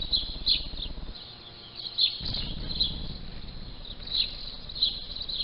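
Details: House sparrows feed on winged termites leaving the nest for their nuptial flight on 12 May, giving short bright chirps every second or so over a steady high twittering hum and low rumbling background.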